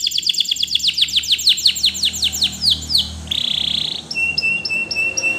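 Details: Belgian canary rambling song: about fifteen quick descending whistled sweeps repeated several times a second, a short harsh buzz, then a steady held tone broken by repeated clipped notes.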